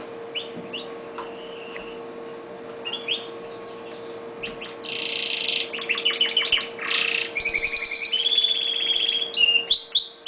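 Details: Pet red factor canary building from sparse whistled notes into a loud varied song of buzzy bursts, rapid trills and a long sustained warble, all above a continuous low hum.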